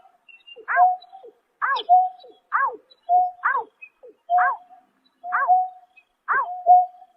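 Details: Night calls of a greater painted-snipe, recorded in March 2024. Seven arched, bright notes come roughly once a second, each linked by a level, hollow hoot held between them.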